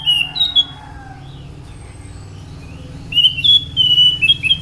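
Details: Singing Scaly thrush (anis macan): short fluty whistles open, then a gap, then a rapid run of high whistled notes gliding up and down over a steady low background hum.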